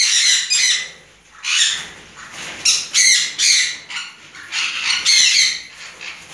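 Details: Juvenile red-fronted conure pair, tamed, producing a chattering series of rasping squawks with some squeakier whistled notes mixed in, calls bunched in quick bursts across the recording.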